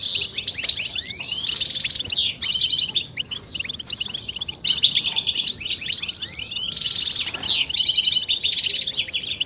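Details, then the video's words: Goldfinch chirping meant to rouse males into song through mating calls: bright high twitter in three long phrases separated by short pauses, mixing sweeping slurred notes, buzzy rattles and tinkling chips. "بتبتة فتاكة وفعالة في تحفيز الحسون على التغريد والهيجان والخروج من الستريس"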